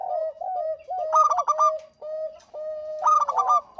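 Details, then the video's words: Zebra dove of local stock in full song, recorded as a lure: a run of soft rounded coos, then two loud, rapid stuttering bursts of ringing notes about two seconds apart. "Suara Burung PERKUTUT LOKAL GACOR"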